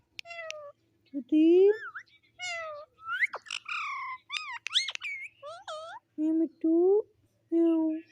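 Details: Talking pet parrot alternating low, meow-like spoken syllables with bent whistles and twangy rising notes, the low word returning several times near the end.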